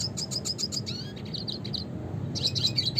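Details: Red siskin (Spinus cucullatus) singing a classic song: rapid high twittering notes, quick chirps and short trills in fast bursts, pausing briefly before another run of bright chips, over a low background hum.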